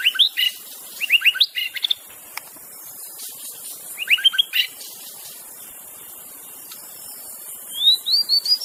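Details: White-rumped shama singing in the wild, a song meant to lure other shamas into singing: short bursts of rising whistled notes and slurred phrases, separated by pauses, with a steady high insect hiss behind.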